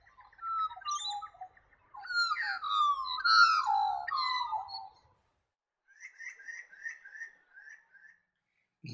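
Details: Australian magpie of the black-backed form in the high-altitude New England region of northern NSW gives rich, fluting, warbled phrases sliding between low and high notes, then a quieter run of short repeated chortles.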